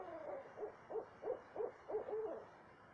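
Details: Owl at night, 2:30 am, south central Texas, giving about seven clipped hoots in quick succession, the last one stretched and falling slightly in pitch, over steady low hiss.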